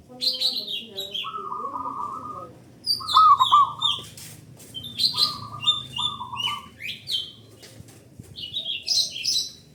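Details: Lure recording of a local zebra dove with a big, loud voice, meant to set other doves singing; short bursts of fast, even cooing notes recur between higher whistled and buzzy calls of other birds.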